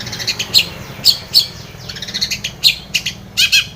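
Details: Long-tailed shrike song meant to prompt a quiet bird to sing back: sharp high chips and short scratchy notes in irregular clusters, some with faint sliding whistles, low hum beneath.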